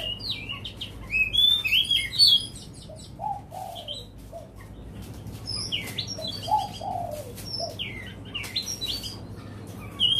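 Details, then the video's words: Oriental magpie-robin singing varied, sweet whistled phrases, high and bright mixed with a few lower mellow notes, over a low hum and scattered clicks. "Chòe Than Nam Cát Tiên Hót Vs Máy"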